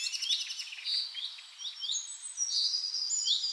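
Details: Several wild birds singing in a Scottish forest: overlapping high chirps, trills and whistled phrases, with quick sweeping notes and short rapid runs, no other sounds.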